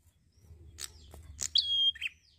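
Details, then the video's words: Prenjak (prinia) singing in relaxed 'gacor santai' style: a sharp chirp leading into a long, steady high whistle, then a short buzzy lower note, with faint low background hum. "PRENJAK GACOR SANTAI"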